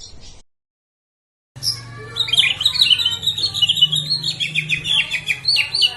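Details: Bahorok white-rumped shama, a bird that advanced to a presidential cup contest; after a short gap, a dense rush of high twittering, chattering and mimicked notes over a low steady hum.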